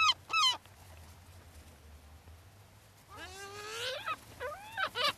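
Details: Beach gulls at Brean Sands in Somerset, England, fed by people in April 2013: two sharp yelps open, then a pause, then a long drawn wailing cry with strained, rising-falling notes and short squeals at the end.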